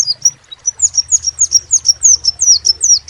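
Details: Crimson sunbird giving a rapid string of very high, squeaky downslurred notes, evenly repeated for three seconds, with low humming noise behind.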